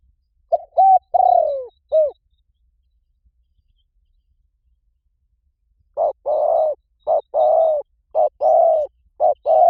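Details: Spotted dove calls used as a lure for wild doves: two bursts of mellow cooing, a short note then longer drawn-out coos, in a quick, uneven phrase, with a long quiet gap between them.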